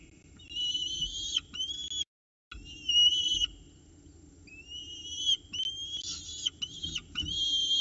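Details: Peregrine falcon chicks in Orange at their 9:36 am breakfast on 29 October 2018, fighting over food as an adult feeds them; drawn-out rising whistled whines in bursts, separated by short pauses and clicks.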